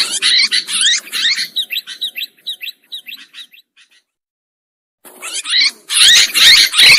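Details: Sooty-headed bulbuls on a trapping lure recording: loud chatter fades into a fast, regular series of short chirps that trails off. A second of silence follows, then the dense, buzzy chatter returns.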